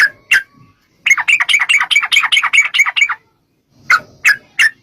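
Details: Yellow-vented bulbul, lure song to trigger answering song: two sharp chirps, a two-second burst of rapid rattling chatter, silence, then three more loud separate notes.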